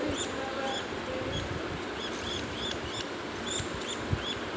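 A budgerigar chick gives thin, high squeaky peeps, repeated in short bursts over a steady rustling background.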